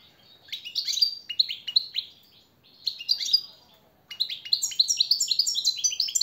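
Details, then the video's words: Captive European goldfinch training song used as a master tutor for cage birds: bursts of fast, twittering, high notes with liquid trills, three phrases separated by short pauses, clean background. "jilguero el reclamo maestro y motivador"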